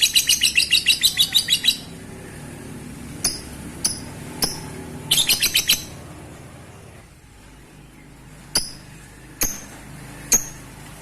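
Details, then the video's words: Lovebird, used to encourage breeding, opening with a rapid run of chattering notes, followed by scattered sharp chirps, a second brief chatter burst, and more isolated clicks over a low background hum. "Pancing birahi Lovebird anda dengan suara Lovebird ini"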